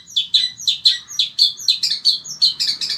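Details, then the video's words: Pet long-tailed shrike (cendet, sembur type) from Indonesia delivers a continuous run of sharp, scratchy high chirps in quick succession, singing steadily despite hot weather. "Burung Cendet INI TETAP MELOCOR DOR"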